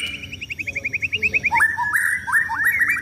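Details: White-rumped shama kept for song contests, set out in the sun: an even run of about twelve quick repeated notes, then a rising sweep into looping whistled phrases, with high trills from other birds.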